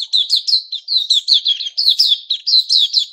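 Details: Caged white-crowned shama in moult, growing new feathers, recorded 6 September 2021: a rapid, continuous run of slurred, whistled phrases, high and bright, with quick rising and falling notes packed closely together.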